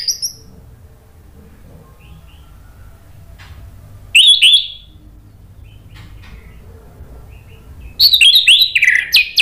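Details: Orange-headed thrush in ngeplong song used as a lure for silent birds: two short bursts of loud, bright whistled notes separated by a long stretch of low background noise.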